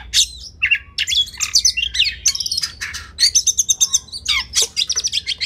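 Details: Oriental magpie-robin (kacer) song used as a training recording for competition birds: rapid, varied phrases of bright whistles, sharp chips and buzzy notes, loud and dense with scarcely a pause.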